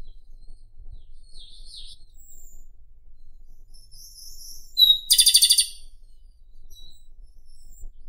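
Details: Japanese robin song: soft, scattered high notes, then one loud phrase. A sharp whistled note leads straight into a fast, rattling trill lasting under a second. Light background hiss throughout.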